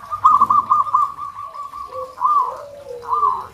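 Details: Local zebra dove song: a fast burst of four or five soft, rolling arched notes, then slower spaced notes over a lower, drawn-out coo.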